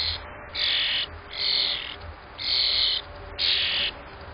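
A grackle gives four harsh, hissing squawks, each about half a second long, roughly one per second, with a faint low hum underneath.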